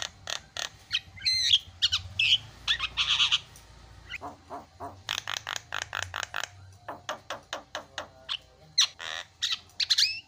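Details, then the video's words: Asian pied starling song: a long string of short harsh clicks and rasps, with occasional whistled notes and squawky bursts, delivered in uneven rapid sequences over a faint low hum. "SUPER BERISIK JALAK KEBO SUARA ISIAN"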